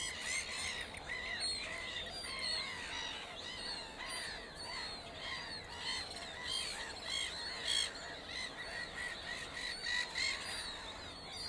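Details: Mallard ducklings in Worcestershire, England peep constantly, a dense chorus of high, thin, overlapping cheeps with no pauses.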